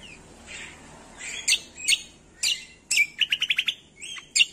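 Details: Leafbird song recording for training songbirds: scattered clear chirps and whistles, then a quick rhythmic burst of about six sharp notes and a final rising whistle, with quiet hum behind.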